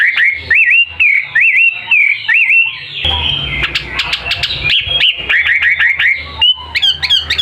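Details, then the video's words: A bird singing vigorously: loud, clear whistled phrases, each a quick rising-and-falling twist, repeated about every half second, then a noisy, busier passage with sharp clicks and a final run of high notes. "Mh wambi gacor"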